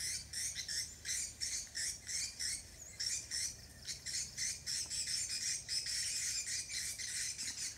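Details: Swiftlets on Samui, Thailand, giving rapid, harsh, buzzy chirps about three times a second in a dense, steady chorus. The bursts run continuously with only brief dips between them, and no other clear sounds are heard.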